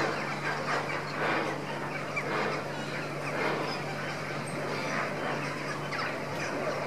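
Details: A dense, steady murmur of many lesser flamingos feeding indoors: overlapping nasal, goose-like honks and grunts with no pauses, over a low electrical hum in an echoing room.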